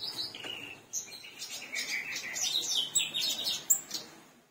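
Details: Black-browed reed warbler in lively song, fit for training other birds: a drawn-out buzzy note followed by dense, harsh chattering and scattered sharp, high whistled chirps.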